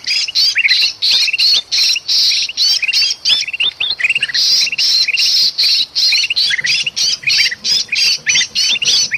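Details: Noisy bulbul commotion from Sumatran forest, including a pinched, trapped bird, played to lure birds: rapid harsh squawks interlaced with sharp upward chirps, about three bursts per second, nearly continuous.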